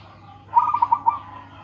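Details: Kept local zebra dove with a loud voice, singing one short burst of rapid, rounded coos, about five beats in half a second, the last note slightly separated, with low steady background hum.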